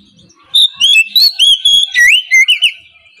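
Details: Oriental magpie-robin in full morning song, used to lure sluggish magpie-robins into answering; after a brief quiet pause, a rapid string of about ten ringing whistles bends up and down, closing with two quick rising notes.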